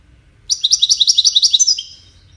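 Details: Goldfinch singing as part of courtship and communication: a quick burst of about thirteen bright, twittering notes lasting just over a second, ending in a short slurred trill. Otherwise quiet, with a faint low hum.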